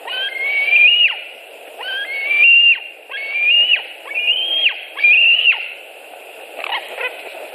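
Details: White-tailed eagle nest in Latvia, 26 July 2018, with prey arriving and a second adult approaching: five rising, reedy whistles ending in sharp drops, roughly every second, then a quieter pause with a faint final note.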